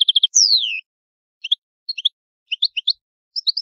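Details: European goldfinch, Italian bird singing the old-style song: a quick run of four bright chirps, then a long descending whistle, followed by scattered short high twittering notes in small clusters.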